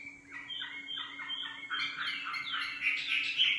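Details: Nightingale song made of fast repeated whistled and chattering notes that grow louder toward the end, over a faint steady hum.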